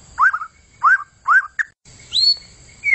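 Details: White-rumped shama whistling loud rising-falling notes repeated about every half second, then a higher sweeping whistle and a lower slurred note, faint low background rumble.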